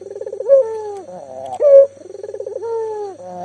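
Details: Energetic local puter dove recorded as a prompt for mute doves. Quavering pulsed coos, a loud short burst, another rattling coo and a long smooth note easing downward.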